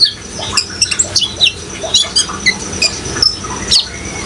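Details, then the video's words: Busy Brown-throated sunbird song accompanied by flowing water: thin high sharp chirps repeated roughly every quarter to half second, with a few brief lower whistles, over a steady hiss. "suara kolibri ninja gacor dan suara air"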